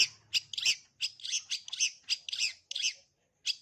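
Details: Long-tailed shrike singing from its full repertoire for young birds to learn: a series of harsh, scratchy high squawks, about three per second, each short and rasping, ending after a brief silence.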